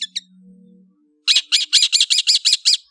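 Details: Long-tailed shrike: two quick chips, a pause with a low hum, then a steady series of about eight harsh, buzzy notes about a fifth of a second apart.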